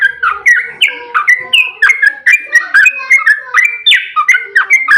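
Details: Rapid 'ropel panjang' song of a yellow-vented bulbul, played to stimulate other bulbuls to answer: dense chattering run of liquid, slurred whistles with quick rising and falling notes, continuous for the whole stretch.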